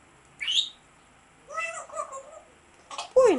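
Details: Grey parrot calling: a short rising whistle, then a harmonic, wavering squawk-like phrase, a brief noisy burst, and a loud descending whistle at the end, in a quiet setting.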